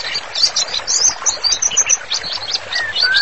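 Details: White-rumped shama singing actively, recorded as a master song for bird therapy: dense, bright high chirps and short whistled notes in quick bursts, ending with two longer, clear falling whistles.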